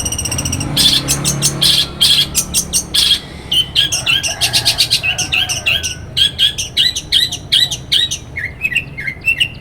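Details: Long-tailed shrike in morning song, Banyuwangi, played to spur other shrikes to sing: loud harsh grating bursts, then varied fast chattering phrases mixing scratchy notes and short whistles, ending in quick descending chips.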